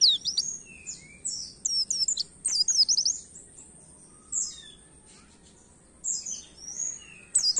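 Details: Oriental white-eye singing a canary-style song, used to stimulate songbirds to sing: scattered high, rapid twittering phrases with long quiet gaps, a few faint lower whistles, and a constant high-pitched hiss behind.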